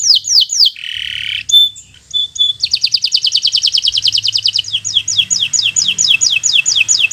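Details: Canary of the local type, bottle-green, singing to teach young birds: quick descending whistles, a harsh buzzy note and brief tones, then a long rapid trill slowing into repeated falling notes.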